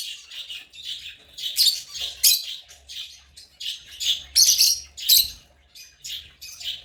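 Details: African lovebirds calling together, overlapping shrill chirps and louder rasping squawks in irregular bursts, loudest near the middle, with a faint low hum underneath.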